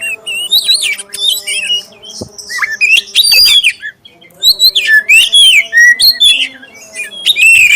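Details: Black-breasted oriental magpie-robin singing clearly to prompt other magpie-robins to sing: varied sliding whistles and short scratchy notes in quick phrases, over a steady low electrical hum.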